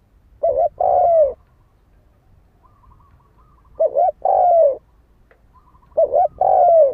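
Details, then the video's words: Spotted dove cooing, used as a lure to provoke a fight: three phrases, each a short wavering double note followed by a longer, smooth, slightly falling coo, spaced about two and a half seconds apart in a quiet setting. "Tiếng chim cu gáy đấu bổi dùng kích mồi cực chuẩn"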